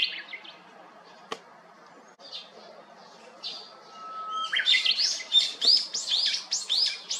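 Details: Japanese bush warbler singing on 7 May 2021 from the top of a cypress beside an empty house next door. A long steady whistled note is followed by a burst of rapid, high, descending flicking notes.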